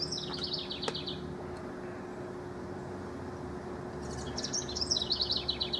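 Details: House wren, June 12 to 24, 2015, among rivals: two bursts of song, each a quick run of high bubbling notes rolling downward, separated by a few seconds of low hum.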